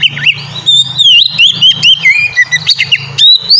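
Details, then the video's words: Ngeplong-style song of an Oriental magpie-robin, played as a lure for young birds: a busy run of sweet whistles, upslurs and quick trills over a steady low hum. "suara burung kacer ngeplong merdu sangat ampuh buat pancingan kacer bahan bikin cepat gacor"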